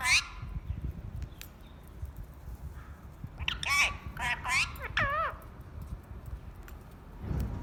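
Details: Pet parrot at home, described as talking too much, makes a short high call at the start, then a cluster of three looping, harmonic squawks around the middle, with room rumble and clicks.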